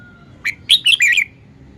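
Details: Brief song phrase from a red-whiskered bulbul: one clear note followed by a fast cluster of rich, rolling whistles over faint low hum.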